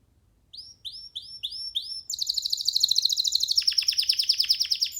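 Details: Young canary singing freely on a person's hand: several separate curved whistled notes, then a rapid buzzy trill that changes into a quick run of descending sweeps.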